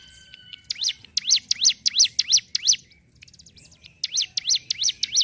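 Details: Ciblek gunung singing gacor in ngentrok style, as kept by songbird hobbyists. Two runs of loud, high V-shaped chirps, about three a second, are broken by a short pause with faint twittering.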